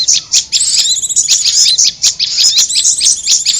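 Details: Prinia calls in a luring recording mixed with korlap: busy high-pitched twittering with sharp clicky chirps, dipping briefly and then continuing steadily.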